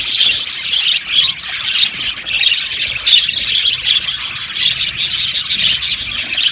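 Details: Budgerigars in an aviary colony, a dense, continuous wash of high chirps, squeaks and warbling chatter from many birds at once, overlapping without any pause for the whole stretch.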